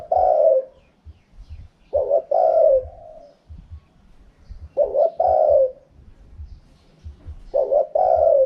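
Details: Spotted dove calling in the khaham pa wild cooing style, four phrases in steady succession, each a short clipped note followed by a longer, slightly descending rolling coo. Light background thumps.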